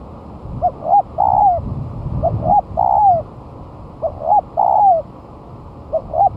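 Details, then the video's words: Spotted dove brought down to the ground after a month of moulting, singing as a lure: repeated phrases of short hooked coos and a long falling slur, about every one and a half seconds. "Pancingan Suara Tekukur"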